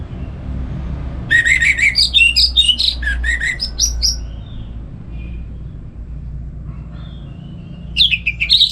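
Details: Morning song of a kept orange-headed thrush, played to train other songbirds: after a quiet start, a rapid burst of varied whistled and rattling notes for about three seconds, then faint thin notes and a short final burst, with low rumbling background.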